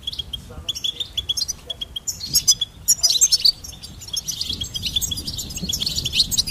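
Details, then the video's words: Goldfinch singing rapid, high twittering phrases, starting with spaced chirps, then rising into a dense jingling burst of fast notes and thin trills. "Goldfinch Singing and Song Compilation"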